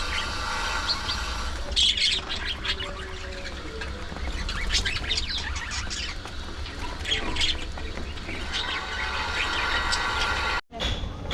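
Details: Several pet budgerigars feeding on seeds and fresh vegetables, giving dense bursts of short, high, scratchy chirps and squawks that tumble over one another, over a steady low hum with faint repeating tones.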